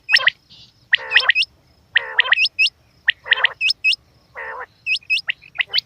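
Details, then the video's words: Quail, possibly female, calling in quick bursts: harsh buzzy notes mixed with sharp rising chips, repeated roughly once a second over a low background rumble. "Quail Sounds"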